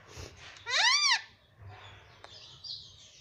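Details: Pet ringneck parrot that says mummy and papa utters one loud, arched, harmonic syllable lasting about half a second, rising then falling, amid faint room noise and a soft hiss afterward.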